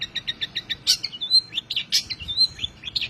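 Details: Tembakan-style song of a long-tailed shrike meant to train songbirds: a quick series of evenly spaced chips, then loud harsh notes mixed with clear, drawn-out whistles and sliding phrases.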